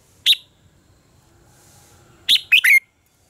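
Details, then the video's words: Red-whiskered bulbul contest song, used as a lure to train birds and stir them to sing: one sharp note, a pause of two seconds, then a quick three-note phrase dropping to a clear whistled end. The background is quiet. "luyện giọng cho chào mào hót hay - căng lửa, chào mào hót quá phê"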